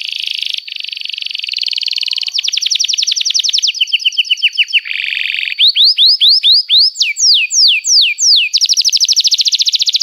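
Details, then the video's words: Canary song used as a lure to teach young canaries to sing: loud high rolling trills, then a long buzzy churr, a series of rising upslurred whistles, and a fast closing trill, with no other sounds. "Kenari Gacor Panjang Cuit Cuit Emosi, Pancingan Kenari Paud Belajar Bunyi"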